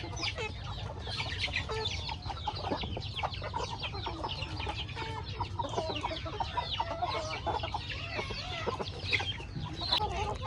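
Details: Several chickens feeding on corn in a rustic backyard farmyard: continuous busy chirping and clucking from many birds at once, high peeping notes overlapping throughout, with a low background rumble.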